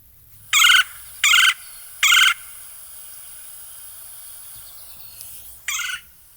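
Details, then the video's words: A Red-bellied Woodpecker gives four short, rolling, burry 'kwirr' calls, three close together and one after a pause, over a soft background hiss. "this is the call of a red bellied woodpecker"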